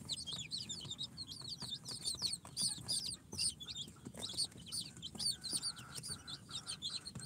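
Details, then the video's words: A brood of newly hatched chicks, Sultan, Golden Sebright, Cochin and booted, on their fourth day from the incubator, keep up rapid high piping peeps in overlapping bursts, with a low steady hum and light bedding rustle beneath. "Chicks hatched from the incubator- Day 4 - Tatlı Civcivler - Cute chicks🐥- كتاكيت"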